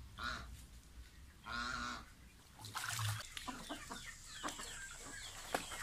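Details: Young pet domestic goose bathing, two loud nasal honks in the first two seconds, followed by splashing, dripping water and clicking sounds.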